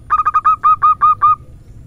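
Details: Short 'irama manja' phrase from a local female zebra dove: about eight soft coos, the first ones clipped and fast, the later ones longer and slower.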